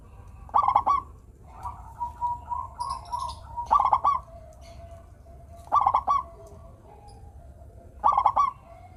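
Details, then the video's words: Local zebra dove singing, used to coax lazy doves into song: four bursts of quick, broken, vibrating coos spaced about two seconds apart, softer cooing notes between them. "perkutut lokal gacor suara merdu - bikin bunyi perkutut yang malas manggung."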